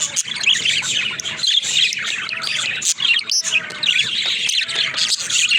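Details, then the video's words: Talking pet budgerigars fill the room with nonstop warbled chatter, high scratchy notes and quick chirps overlapping, pausing briefly a few times between bursts. "Funny Talking Budgies"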